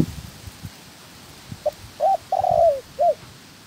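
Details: Spotted dove used as a trapping decoy, during training, gives one cooing phrase: a soft short note, a clipped coo, a long rough-textured coo sliding down, and a last short note over faint background knocks.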